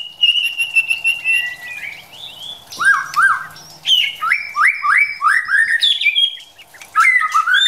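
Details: Female white-rumped shama stimulating a male to practise his song; a long level whistle followed by a series of rising whistled slurs and chirps, repeated about three times a second, with a faint low hum beneath.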